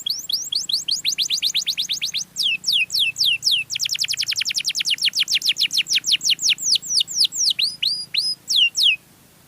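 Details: Canary song used as a lure for fellow canaries: long runs of rapid descending whistled strokes in rhythmic bursts, speeding up then slowing to spaced sweeping notes, with a faint low hum underneath.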